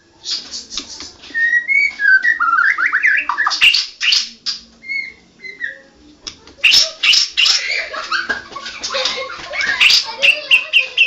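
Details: White-rumped shama, national champion, singing vigorously in rolling ngerol style: dense chattering bursts, scattered short whistles, then a long stretch of loud, rapid, harsh and bright notes.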